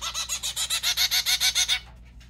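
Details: A white zebra finch being hand-fed gives rapid, harsh, buzzy calls, about seven a second, stopping abruptly.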